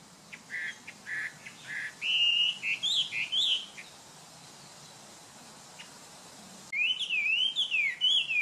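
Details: Chinese hwamei (Garrulax canorus), song.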